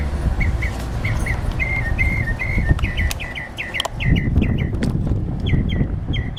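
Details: Wild bird singing outside a studio: a long run of short, clear chirps, some slurred or hooked, repeated about every quarter second over a steady low rumble of background noise.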